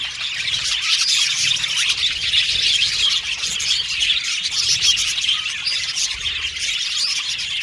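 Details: Colony of budgies in an aviary, a crowd of birds chirping together in a steady, busy stream of high twittering and warbling with brief squawks, the chatter never pausing over several seconds.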